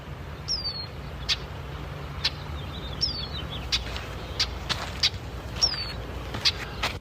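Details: A flock of Brewer's blackbirds (Euphagus cyanocephalus) at a small lake, the only water for miles, in the western US, gives high, creaky, downslurred squeaks every couple of seconds mixed with sharp check notes over a low steady rumble.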